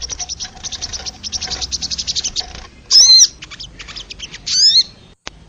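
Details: Wild crested jay, recorded as training material to excite caged birds: dense runs of sharp high chips, then two loud, harsh, buzzy bursts with sweeping whistled tones, separated by scattered short notes.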